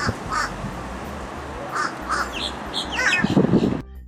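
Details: Fish crow call: short, nasal, fairly high caws, higher-pitched and more nasal than other crows', about half a dozen in quick, uneven succession, with a voice faintly underneath.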